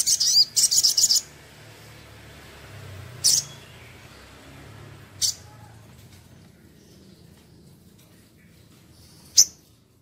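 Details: Crimson Sunbird in active song, meant as a tutor track: two short bursts of quick high trilled notes, followed by three widely spaced sharp high chips over faint low rumble.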